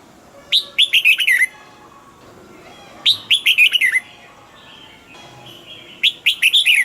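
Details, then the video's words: Red-whiskered bulbul kept in a cage, delivering three lively whistled phrases, each a rapid string of falling, slurred notes, spaced about two and a half seconds apart against a quiet background. "นกปรอดหัวจุก นกปรอดหัวจุก เสียงนกกรงหัวจุก"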